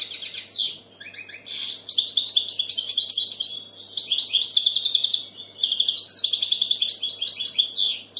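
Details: European goldfinch singing a loud, fast twittering song of bright, tinkling phrases and buzzy notes, with brief pauses near one and five and a half seconds before the chatter resumes.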